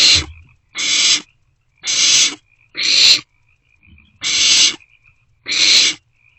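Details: Young barn owls in a nest box in the early morning hours of 27 March 2024, passing food back and forth; six rough hissy screeches at uneven spacing, with faint shuffling sounds in the pauses.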